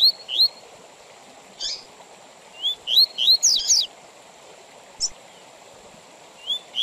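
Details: Double-collared seedeater giving the Tui Tui Zel Zel song with intervals, meant for teaching young birds and for tournaments: scattered rising whistles and a dense burst of scratchy notes, then isolated sharp chips.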